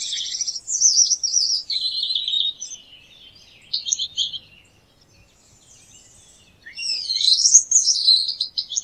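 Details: Gouldian finch song: high, thin buzzy phrases with quick trilled notes rising and falling, a short pause near the middle, then a louder rising buzzy burst, with no other sounds.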